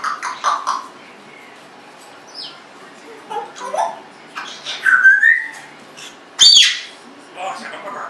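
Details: Varied vocalizing by a pet Congo African grey parrot, 1.5 years old: talking fragments, short slurred whistles, a rising whistle, and a sharp high squeak, in uneven bursts.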